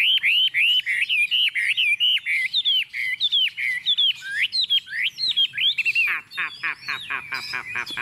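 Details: Tame captive Chinese hwamei set on a table, singing confidently: loud, varied whistled phrases with rising and falling slurs, then a fast run of rapidly repeated descending notes near the end.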